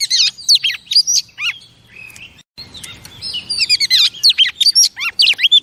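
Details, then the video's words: Female oriental magpie-robin song meant to stimulate male birds: sharp whistled phrases and swooping slurs, a brief soft pause near the middle, then a dense, quickening series of chirps. "Chòe Than Mái Kích Trống"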